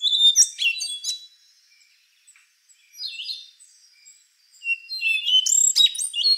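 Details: Bright, metallic phrases from a rufous-brown solitaire, an endangered fruit-eating thrush: ringing high whistles and rapid slurs, a softer buzzy phrase in the middle, then a loud tumbling burst.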